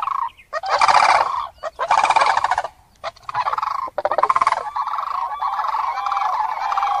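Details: Common crane calls: several harsh rolling bursts, then a long, steadier trumpeting note that carries through the last three seconds.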